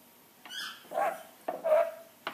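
A rainbow lorikeet mimics a dog's bark: two hoarse, mid-pitched woofs about a second apart, each trailing into a nasal tone, then a clipped third bark.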